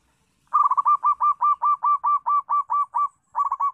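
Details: Local zebra dove with a steady song, used as a model for training other zebra doves to sing; about a dozen quick, rolling coos near one pitch run together in a fast, even series, a short pause, then two more.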